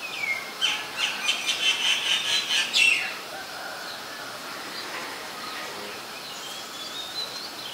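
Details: Common myna recorded in Ubon Ratchathani, Thailand, 26 February 2022, with a Nikon P1000: a loud, rapid burst of harsh, rhythmic chattering notes for about three seconds, then quieter, thin whistled sounds over soft background hiss.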